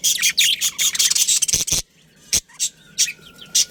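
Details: A budgerigar breeding pair kept as pets giving a fast run of harsh chirps, then after a pause single spaced chirps about every half second, with a faint steady whine.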